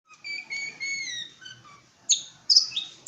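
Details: Long-tailed shrike singing in East Java: several clear whistled notes that step downward, a pause, then sharp, high, scratchy chips.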